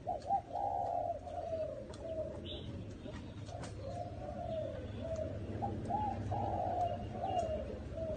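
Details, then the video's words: In a small garden, a spotted dove delivers a steady series of soft, hollow coos, each phrase swelling and fading, with a short high chirp from another bird and a low background hum. "Tiếng Chim Cu Gáy"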